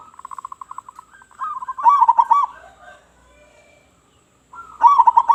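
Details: Local zebra dove with a big voice, singing to draw in other zebra doves: a rapid train of soft pulsed coos builds into a loud, bubbling rolled phrase, then quiet, then another strong rolling warble.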